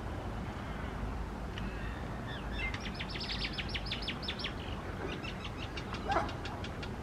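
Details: Common myna (Acridotheres tristis), several perched high on palm leaves singing in suburban Australia, where introduced: quick runs of repeated, clipped whistles and chattering clicks over steady low traffic or wind rumble.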